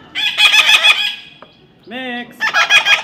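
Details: A baby parrot being tamed gives a long burst of harsh chattering screeches, then a brief, smooth, voice-like note, then more rasping squawks.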